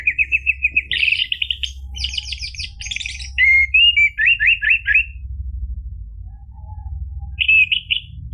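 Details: Lure song of an orange-headed thrush meant to make a silent caged bird answer. A rapid run of repeated high notes leads into buzzy trills and varied whistled phrases. A pause follows, then a brief final burst over a low hum.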